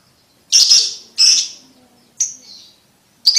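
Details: Lovebird ticking used for tutoring young birds to trill fast: four loud, harsh, high chirps separated by short pauses, the first two longer and rougher.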